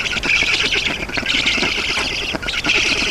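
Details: Nest of black storks in Estonia, 7 June 2019 at 11:03, while water is brought by an adult; a short stretch of loud, unbroken grating squawks with a rapid pulsing texture.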